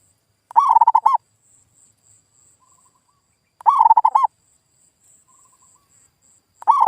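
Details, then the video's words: Zebra dove lure call for provoking silent local birds to answer: three short phrases about three seconds apart, each a quick run of soft, mellow cooing notes, with a faint high steady hiss between them. "SUARA PIKAT PERKUTUT GACOR"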